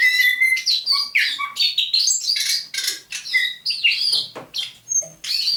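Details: Thrush nightingale held captive since May 2019, caught near St Petersburg, singing at dawn on 27 November 2021: a level whistle, then varied chattering phrases and a high, piercing note near the end.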